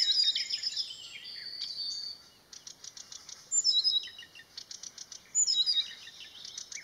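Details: A Marsh Warbler singing by a grove at Landsjön on 16 June 2020: a fast, high, varied medley of chattering notes, sharp whistles and rapid buzzy trills in quick bursts. No other sounds stand out.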